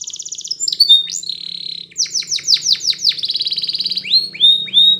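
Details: Song of a Spanish Timbrado canary for training another canary to sing: a fine high trill, bright whistles, then a string of falling slurred notes and a buzzy roll closing on rising whistles; faint hum below.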